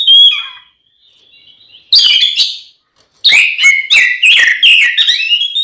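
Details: Aggressive Oriental magpie-robin song used to goad other magpie-robins into fighting. A long level whistle opens, then after a pause come clusters of rapid, harsh, chattering and warbled notes delivered at full volume.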